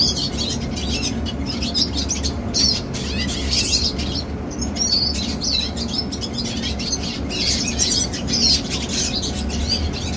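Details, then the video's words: A young red siskin delivers a long, bubbling twittered song of high chirps and buzzy trills, pausing briefly midway. A low hum persists throughout. "Teen Red Siskin Singing - Chim Red Siskin Hót"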